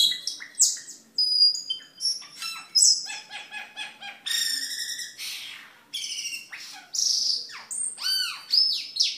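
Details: Cucak keling in full song for caged-bird tutoring and luring: a varied run of rattling trills, rich harmonic notes and arching whistles, phrases changing rapidly over several seconds.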